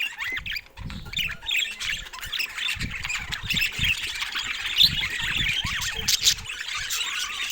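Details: A budgerigar group keeps up warbling chirps and short squeaks, with sharp louder notes standing out and dull low bumps scattered throughout.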